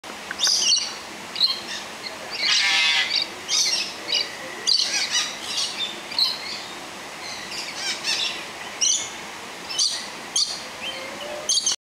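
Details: Sun conures climbing and racing in the Fragile Forest biodome give harsh, high screeches and chirps in quick, irregular bursts.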